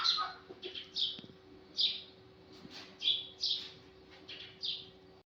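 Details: Sparrow in the morning gives short, bright chirps, about eight in five seconds at an uneven pace, over a faint steady hum.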